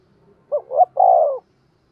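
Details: Spotted dove used as a lure, cooing steadily; one clear phrase made of a short coo, a swelling second coo and a long level final note.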